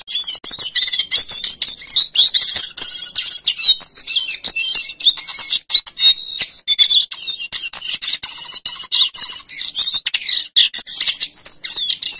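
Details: Male lesser shortwing in full, energetic song in the rolling and fluting style, used as a master bird to tutor other songbirds: a dense, nonstop torrent of high twittering trills, rapid chatter and whistled notes without real breaks.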